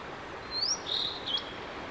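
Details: Blue-and-white flycatcher male performing a long solo song, May 5, 2022: a rising high whistle, a flat drawn-out whistled note, then a short upward flick and level ending.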